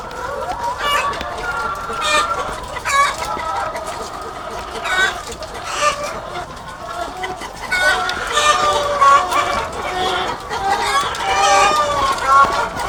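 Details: Thousands of egg-laying hens on a farm filling the air with rapid overlapping clucks and squawks, loud bursts arriving irregularly over a constant chorus.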